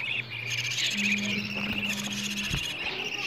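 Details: Begging sounds of budgerigar chicks calling for food, used as playback to encourage budgies to breed and lay eggs: continuous scratchy high-pitched chatter with rapid irregular pulses over a faint low hum.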